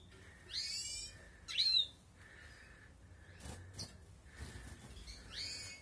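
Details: Balkan goldfinch kept in outdoor breeding as the 2020 season starts; short high, descending twittery notes at intervals, with a steady mid-pitched tone running through and some knocking noises between calls.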